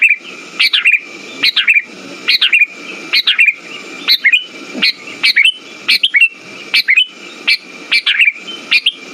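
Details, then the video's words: Sooty-headed bulbul song meant to lure and excite birds that have stopped singing. About a dozen brisk whistled chirping phrases follow one another at a steady pace, backed by a continuous thin high tone and low rumbling hiss. "Pancingan burung kutilang macet"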